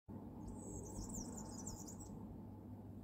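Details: European serin in Tartu, Estonia, on 16 April 2023, giving a very high, fizzing jingle of rapid notes for about two seconds over a steady low rumble of distant traffic.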